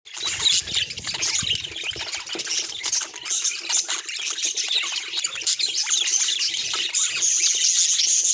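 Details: A courting pair of pet budgerigars giving continuous high, scratchy warbling chatter, with rapid chirps and squeaks overlapping throughout and occasional thin whistled notes near the end.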